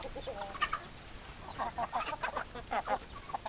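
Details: Hens clucking, short low clucks in loose irregular bursts with a couple of sharper notes, against a steady background hiss.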